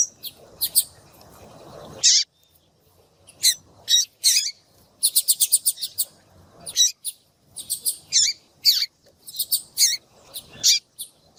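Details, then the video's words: Yellow-bellied seedeater, a female calling so that males will sing: high chirps and a fast rattling run of repeated notes, following a stretch of low background noise at the start. "Piado de fêmea de papa capim vai deixar seu papa capim cantando Muito RÁPIDO !"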